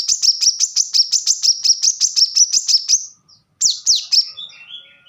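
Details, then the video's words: Plain-throated sunbird (kolibri kelapa, wiceh) singing a tight, rapid series of high sharp notes for training cage birds, then after a pause a few loud falling slurs and thin descending twitters. "kolibri kelapa | manggar | wiceh | korlap gacor tembakan rapat"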